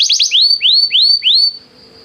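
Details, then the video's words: Canary song used to prompt a canary to sing, as training: three fast chirps, then four rising whistled swoops, each climbing and levelling off, ending in a soft high held tone. "o som de atrair seu canário para cantar imediatamente"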